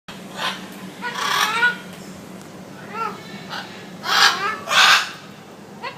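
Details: Parrot at Nong Nooch, Pattaya, described as clearly talking rather than squawking senselessly: short harmonic, speech-like phrases, then two loud harsh squawks near the end, with a man commenting in Russian and a steady low hum.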